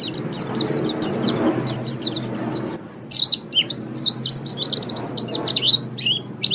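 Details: White-eye training song for caged birds, recommended for morning or evening; dense, high-pitched twittering with rapid chirps and slurred whistles, briefly pausing before resuming in a busier jumble, with a soft low rumble underneath.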